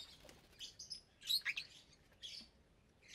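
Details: Sharp high chirps and short squeaky calls from aviary lovebirds at meal time, brief bursts scattered over a quiet background. The colony holds about 25 birds of parblue, euwing, opaline, lutino and albino colour varieties, some pairs raising chicks.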